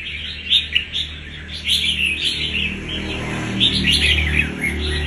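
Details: Red-whiskered bulbul, a wild bird caught about a month earlier, showing fighting spirit: short bursts of clear warbled phrases over a noticeable low rumbling background.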